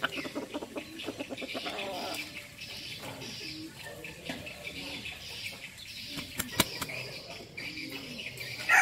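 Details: A captive red junglefowl decoy bird, kept for its crowing voice, flaps its wings briefly, then gives low, hoarse clucking and drawn-out throaty notes; a short sharp knock is heard near the end.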